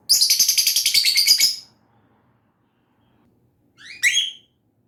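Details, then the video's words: Lovebird giving a rapid run of about fifteen shrill, buzzy chirps in under two seconds, then a pause and a short pair of rising whistled squeaks. "Lovebird SINGING and CHIRPING sounds"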